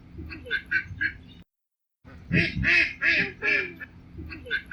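American Black Duck giving harsh, nasal quacks in quick bursts, some run together into a longer series, with a brief silent gap midway.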